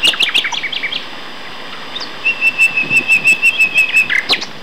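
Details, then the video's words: Common nightingale song from two males at Castor Hanglands near Peterborough, England, May 2012: jumbled chattering notes, then a long, steady, throbbing phrase of about ten pulsed whistles ending in a sharp downward flourish. "Nightingale Duet"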